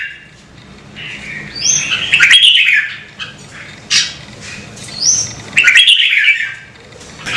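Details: Red-whiskered bulbul prompted to sing, delivering rich warbling phrases that rise and fall, followed by thin high whistles and scratchy notes, with a steady low hum behind.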